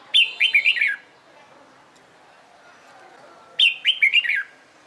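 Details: Red-whiskered bulbul in competition song training, two rapid phrases of four or five descending slurred whistles each, with sharp high clicks, separated by over two seconds of quiet.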